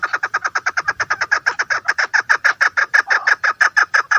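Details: Female chukar partridge delivering a continuous fast series of harsh, evenly spaced chuck notes, roughly three to four per second throughout.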